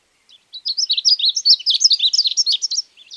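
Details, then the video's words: An ultramarine grosbeak (Uruguayan "azulito") sings a quick, rich warble of sweet, varied whistled notes, tumbling up and down for about two and a half seconds against a quiet background. "Canto Del Pájaro Azulito"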